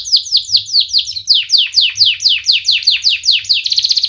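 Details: Canary singing as a lure for young canaries learning to sing: rapid regular series of sharp down-slurred whistled notes, about three per second, closing with a quick trill.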